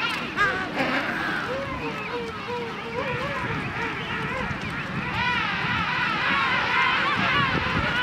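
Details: A dense chorus from a king penguin colony in South Georgia: many overlapping warbling, trumpet-like calls that waver up and down in pitch, with a steady rushing background.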